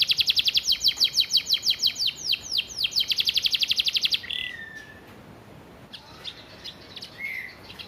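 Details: Canary with isian gereja repertoire used as a training master: four seconds of rapid, rhythmic, high falling notes forming a rolling trill, then near quiet with two soft slurred whistles.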